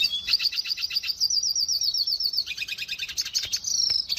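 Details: Venezuelan goldfinch singing a rapid repeated high note series, about four per second, sliding slightly, then breaking into a denser buzzy rattle and a final sharp whistled phrase.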